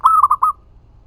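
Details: A single loud zebra dove phrase from a local bird, a lure to provoke replies: one long coo breaking into three quick clipped notes.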